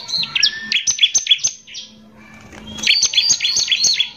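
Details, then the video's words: Bar-winged prinia in its lively 'gacor' lure song, meant to anger other prinias: quick, jerky, high two-tone notes in a busy phrase, a short pause with a faint whistle, then another bouncing burst. "PANCINGAN CIBLEK GACOR NEMBAK KASAR INI PALING BISA BIKIN CIBLEK EMOSI"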